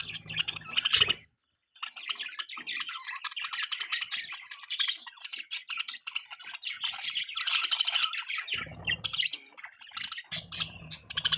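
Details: Budgies chirping continuously in dense, overlapping high warbles and squeaks, a brief silence after the first second, with low thumping bursts at the start and near the end.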